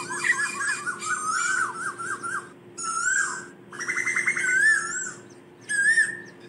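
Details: Asian koel calling its flock with long, wavering, bubbling whistled phrases that rise and fall, broken by brief pauses, over a faint constant hum.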